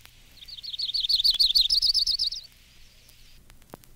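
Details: A Myrtle Warbler sings a rapid twittering trill of about twenty high notes that shifts to a slightly higher pitch partway through, lasting about two seconds, followed by quiet with a faint click.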